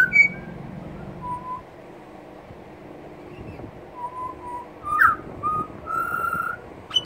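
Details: Two pied butcherbirds sing together on a veranda (dated 121117), trading a few slow, pure fluted whistles, one note sliding upward, over a steady low background hiss.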